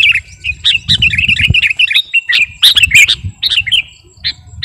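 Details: Sooty-headed bulbul ('kutilang garuda') singing for master training or luring; a run of quick warbling notes, short gaps, then louder sharp chirps and trailing whistles, with low noise underneath.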